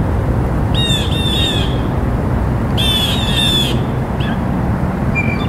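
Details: Two drawn-out, grating blue jay calls, each with a doubled, scratchy quality, followed by a brief short note. A steady low rushing sound runs underneath.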